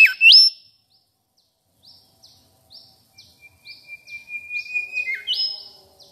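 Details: Mangrove whistler chirping sweetly in South-east Asia: a loud looping upswept note, quiet high chips every half second, a long thin steady whistle, then a sharp upward slur.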